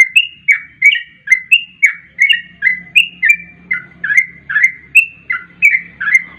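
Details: Sooty-headed bulbul in the 'garuda ropel' style, played fast as a lure to attract other bulbuls. Bright chirped notes, mostly falling, repeated about twice a second. A faint low hum sits underneath.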